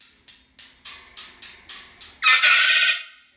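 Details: Pet Moluccan cockatoo indoors: seven sharp, clipped shrieks at a fast steady pace, building into one sustained, rasping scream lasting about three-quarters of a second, showing how loud it can be.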